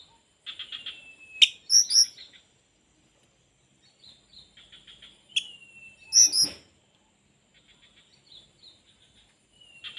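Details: Oriental magpie-robin singing with its tail fully spread: a long, slightly falling whistle, bursts of buzzy rattles, and loud sharp chirping notes, with phrases returning about every four seconds against a quiet background.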